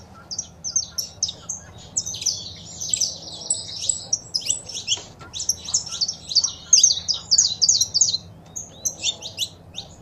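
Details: Male saffron finch singing with female calls, used to encourage a captive bird to sing; a long, rapid chattering trill of high notes building in the middle, then broken chirps.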